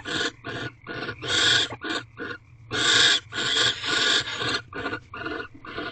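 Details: Barn owls mating in an owl box at 5:19 am, 9 March 2023, before dawn: harsh, hissing screeches in a rapid run of rasping bursts, some long and loud, others short and clipped.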